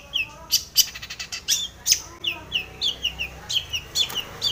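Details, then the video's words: Singing long-tailed shrike in full-fill form, used to coax silent shrikes into song: crisp descending whistles mixed with scratchy buzzy bursts in a brisk, varied sequence. "cendet gacor BIRAHI full isian"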